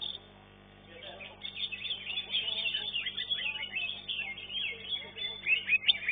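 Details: Green leafbird at a contest arena, third in class 1, singing a steady chattering medley of high twitters and slurred whistles, with faint lower background sounds beneath.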